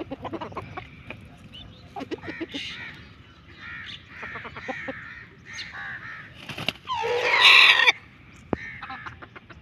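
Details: Aseel rooster and hen in the morning: scattered clucking notes, then a loud, harsh, harmonic crowing burst of about a second near the end, followed by quieter clucks.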